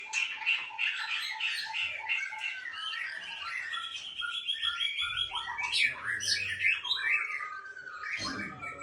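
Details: White-rumped shama of the Aceh type in a breeding aviary, singing a dense, fast run of varied whistles and chattering notes, high and shifting in pitch, with brief low thumps and faint background voices.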